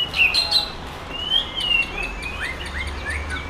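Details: Contest-winning Sumatran white-rumped shama of forest stock singing at a Bengkulu competition ring: high bright notes and a long drawn whistle, then rapid downward-slurred flicks fading out, over a low steady background hum.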